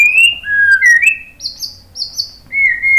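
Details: White-rumped shama song for provoking other birds to sing: clear sliding whistles, two higher swooping notes in a row, then a steady whistled tone.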